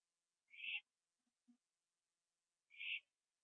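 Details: Owl on a porch at 11:15 PM on 21 September 2011, finishing a gopher before flying to a tree beside another owl; two short harsh hissing screeches about two seconds apart, with faint low thumps between them.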